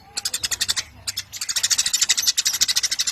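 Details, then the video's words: Eurasian tree sparrow in lively song, giving a fast series of harsh, buzzy chirps, about two and a half per second, broken by a short pause near the first second. "Burung Gereja Gacor Nyerecet panjang"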